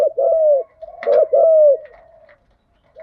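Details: Spotted dove lure cooing in the 'thúc gù' and 'gáy gọi' styles, used to stimulate captive birds: two long, smooth, gently falling low coos with a brief rough catch between them.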